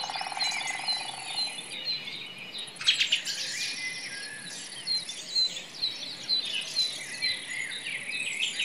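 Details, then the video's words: Common nightingale singing in a forest: a low, steady repeated note opens, followed by varied high whistled and rattling phrases with abrupt changes, over other chirping birds and insect hiss. "The sound of a nightingale in the forest"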